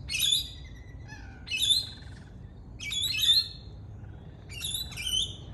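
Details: Native Australian lorikeet, a parrot, calling with harsh, shrill screeches in bursts of two or three notes, four outbursts roughly every one and a half seconds, with softer whistled notes between.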